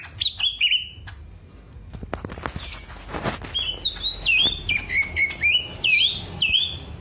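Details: Greater green leafbird from Alas Purwo, Banyuwangi, kept as a songbird and shown in a mental test of its fighting character, crest raised; after some clicks, a run of bright whistled notes sliding up and down, repeated about twice a second.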